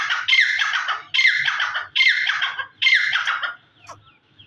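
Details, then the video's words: Grey francolin (dhakni teetar) calling: four loud, harsh, squawking phrases, each a ringing rasp about three quarters of a second long, repeated roughly every 0.9 seconds, then a faint click and quiet. "Dhakni teetar voice // teetar song"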